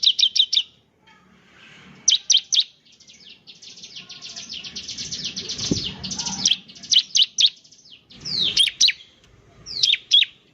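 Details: Bar-winged prinia, the 'ciblek semi' in full 'gacor' voice, used as a lure so other prinias start singing: bursts of sharp high chirps and rapid downslurred notes, with a longer buzzy trilling phrase in the middle.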